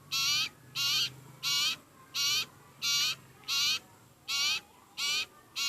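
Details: Sirpu (sirtu) bird begging while very hungry, giving nine harsh, raspy, buzzy calls at an even pace, about one every two-thirds of a second.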